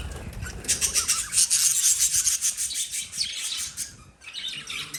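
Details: Lovebirds chirping in a dense, fast, rasping chatter of high-pitched notes, pulsing several times a second, then briefly fading before resuming.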